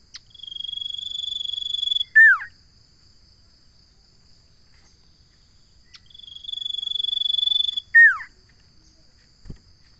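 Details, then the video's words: Common iora song: a long, level, high whistled note held about a second and a half, ending in a sharp downslurred note. The phrase is repeated about six seconds later over a steady insect hum. "Suara burung sirtu/ Suara burung Cipo/ Suara burung Cipow/ Suara burung cipoh"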